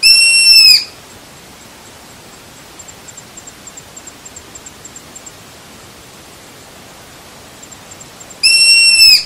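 Striped Owl giving two loud, short, dog-like barking calls about seven and a half seconds apart, with near silence and faint high ticks between them.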